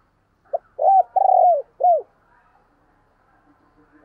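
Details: Decoy spotted dove giving one cooing phrase to attract wild doves: a short note, a long hoarse coo, then a downward-curving note, followed by near silence with faint background.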